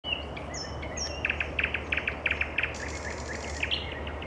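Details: Nightingale singing in the evening: a run of sharp, repeated double notes at an even pace, with thin high whistles from other birds and steady low background hum.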